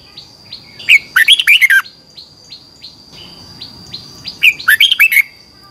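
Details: Competition song of a red-whiskered bulbul, morning singing in the 'twisted voice' style for training birds. Two loud, rolling whistled phrases about three and a half seconds apart, with soft repeated ticking notes and a thin steady high whine behind.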